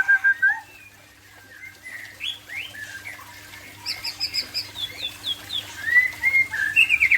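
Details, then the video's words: White-rumped shama of the Aceh type singing in a relaxed afternoon session: short whistled and slurred notes, a quiet pause, then fast chattering trills and rising whistles growing louder toward the end, with a steady low hum underneath. "Murai Aceh"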